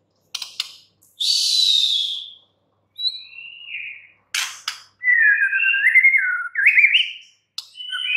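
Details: White-rumped shama song with scattered sharp clicks, a long high hissing sweep, short whistles, then an energetic stretch of rapid warbled, twisting whistles and upward flourishes.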